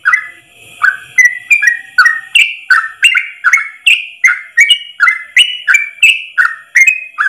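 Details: Yellow-vented bulbul song used as a training recording for caged birds, one long unbroken phrase: quick series of bright, slurred whistled notes rising and falling, about three per second, clean with no other sounds.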